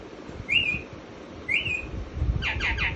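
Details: Pet parrot at home giving two clear whistles about a second apart, each sliding up then gently down, followed by a quick run of harsher chattering notes over a steady background hum.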